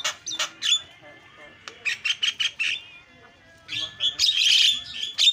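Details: Lure recording of a Javan myna to get other mynas calling: rasping notes, a steady series of five short harsh calls, then a loud burst of noisy, screechy chatter.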